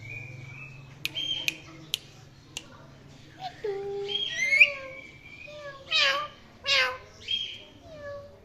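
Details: Naughty pet Indian ringneck parrot chirping: a few sharp clicks, then short whistled notes and a run of loud, harsh, descending squawks in quick succession, with a low background hum throughout.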